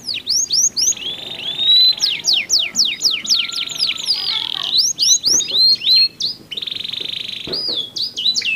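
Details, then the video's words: Two canaries trading song with contrasting tones, played to encourage other canaries to sing; rolling buzzy trills, steady high whistled passages, and bursts of quick descending chirps alternate, loud and continuous. "SUARA KICAUAN KENARI GACOR SALING BERSAUTAN"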